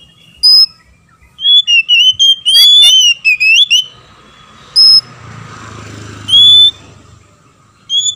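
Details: Oriental magpie-robin male and female answering each other, a lure recording meant to rouse other magpie-robins to anger and song: bursts of clear whistled notes and slurred phrases, sharp and loud, with quiet gaps and a faint low hum between.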